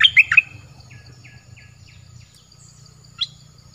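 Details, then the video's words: Dok taeng bird song from the south of Thailand, recorded for playing to young birds so they learn to sing along: loud clipped chirps at the start, then a run of soft evenly spaced descending notes and one later sharp note. Low hum throughout. "เสียงต่อนกดอกแตงใต้Ep6. ไว้สำหรับต่อ หัดลูกนกเปิดให้ร้องตาม"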